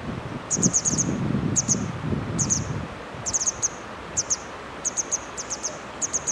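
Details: A small Grey wagtail on the bank of the river Hönne in Menden gives sharp, very high tsit notes in quick bursts of one to five, about once a second, over low rustling and wind.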